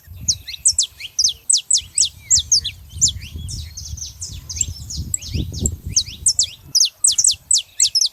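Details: Wild saffron finches in a lively gathering, singing steady bursts of high, sharp downslurred chirps about twice a second over a low background rumble.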